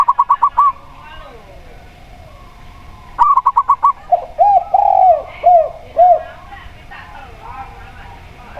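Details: Local zebra dove (perkutut lokal) recording used as a lure to prompt doves to sing: two fast bursts of about six clipped, bubbling notes, alternating with the lower, drawn-out arched coos of a spotted dove (tekukur).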